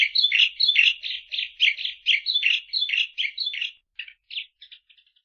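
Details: Eurasian tree sparrow's rapid string of scratchy chirps, slightly irregular, fading into sparse, softer notes toward the end, used as training audio for songbirds.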